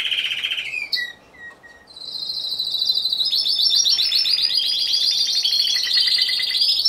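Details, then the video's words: Competition Timbrado Español canary, one bird in class C2, recorded 26 November 2015. A low trill, then a short pause with isolated notes, then a long, intense, very high pulsed roll. "Καναρινιών Φωνής Timbrado Español"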